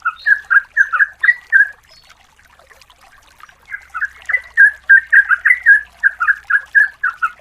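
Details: Female yellow-vented bulbul calling a male, used as a lure: chuckling, liquid whistles, a quiet pause of about two seconds, then a sustained rapid series of bubbly notes.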